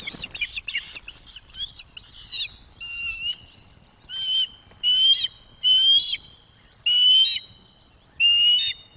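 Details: An osprey pair at the Loch of the Lowes webcam nest in 2024. The female food-begs to push a young male into bringing fish during courtship. High, strained whistled calls come in ragged groups, then separate long notes about once a second.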